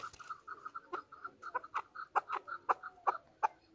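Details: Chukar partridge used as a hunter bird calls at a distance: soft short notes mixed with sharper clucking chucks, repeated about three times a second over a faint background hiss.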